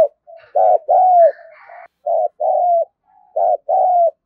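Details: Decoy spotted dove urging wild birds with coos and calls. Three paired phrases, a brief rough note then a drawn-out falling coo, plus a faint higher rasping sound between the first two phrases and soft murmurs in the gaps.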